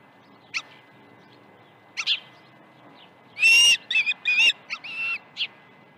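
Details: Osprey at Dunrovin Ranch, August 21, 2019, in the morning: isolated faint squeaks, then a louder sequence of high whistled and slurred chirps with short gaps between them, ending in a brief note.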